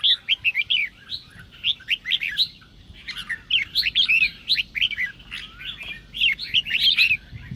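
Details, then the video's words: Red-whiskered bulbul singing to provoke rival birds. It delivers crisp, evenly spaced whistled notes in quick bursts, pauses briefly midway, then resumes with a bright chattering phrase. "Chào Mào Kình Kích Chim Bạn Dễ Ché. Âm Thanh Kích Chào Mào Ché"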